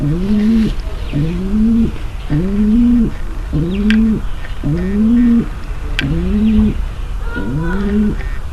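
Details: A female pigeon's mating call, given to get a male ready to mate: seven throaty, upward-curving coos in an even rhythm, with a few sharp clicks between them.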